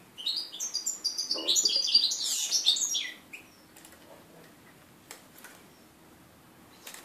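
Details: Hybrid mule of red-breasted flycatcher and canary, hatched in 2013, giving its first song since the 2013 moult, recorded 11 January 2014: a fast three-second burst of high chirps and twittered trills, then quiet with a few faint clicks.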